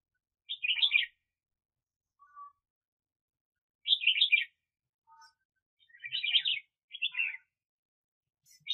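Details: A 2021 recording of a decoy red-whiskered bulbul used for bird trapping gives short, lively warbled phrases of tumbling chirps, repeated every few seconds with brief quiet gaps and a few soft lower notes between.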